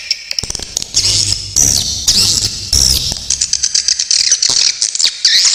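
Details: Swiftlet calls recorded clearly as songbird tutor material: squeaky, high twitters and sharp besetan rasps in bursts, with clicks and a faint low hum underneath.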